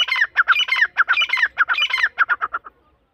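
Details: Begging from grey francolin chicks (dakhni irani teetar) during feeding: a rapid, steady series of harsh squawking notes, about two per second, fading out near the end.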